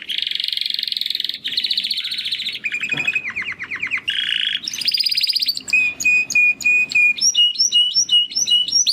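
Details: Young male Timbrado canary practising song after its first molt: continuous rolling trills changing pace, rapid repeated downslurred notes, a steady level whistled tone, then a quick series of bouncing rising notes.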